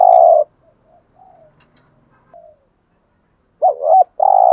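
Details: 'Gù thúc' coo of a spotted dove with a good voice: a loud long coo, soft scattered low notes, then a quick looping double note and another long steady coo.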